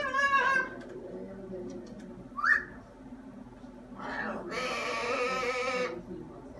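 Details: Elvis, a talkative pet macaw, indoors gives a short voice-like, wavering utterance, then a quick rising squeak, ending with a long, harsh, raspy squawk lasting over a second.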